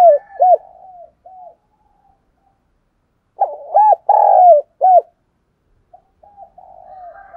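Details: Calling spotted dove, kept as a lure bird for wild doves in Dong Nai, Vietnam, gives soft murmured coos, then a loud phrase of short hollow coos, a drawn-out rolling note and a closing coo.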